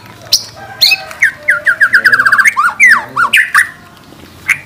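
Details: White-rumped shama (murai batu) singing 'gacor' with 'tembakan' shots, meant as a master for training. Harsh squawky notes lead into a fast series of repeated chips and swooping slurred whistles, followed by a brief pause and a final note.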